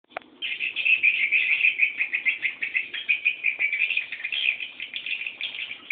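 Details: Swiftlet chicks begging while waiting for a parent to return: a dense, unbroken chorus of many high, thin chirps overlapping in a steady twittering wash, with a few brief clicks near the start.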